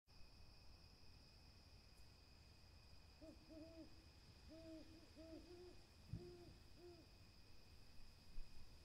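An owl gives about eight short, low, hollow hoots, some in quick pairs, over roughly four seconds, against a steady high whine and low rumbling background noise.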